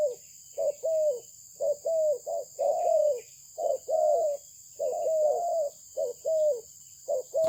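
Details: Cooing of a spotted dove of good Malaysian stock, low soft phrases repeated roughly once a second, pairs of short coos leading into longer falling notes, a continuous thin electronic tone running underneath.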